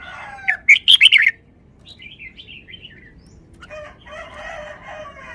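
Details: Caged red-whiskered bulbul singing phleng pa phrases: a loud burst of rapid, sharp chirping notes, then a softer descending run of whistles, followed by a rooster's crow in the background.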